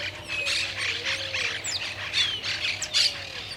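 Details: Grayish Baywing in the Argentine littoral gives scattered chattering and whistled notes, several birds overlapping, over a steady low hum.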